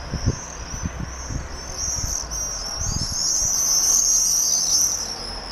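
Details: Common Swifts (Apus apus) flying around in circles in Holstebro, Denmark, give shrill, buzzy, high screams that run together almost without a break as several birds call at once, with a few low thumps and some wind noise.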